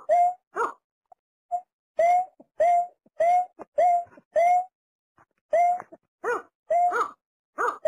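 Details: Watercock with runs of clear, slightly rising tonal notes about every half second, then broader hollow hoots near the end. There is one short pause midway.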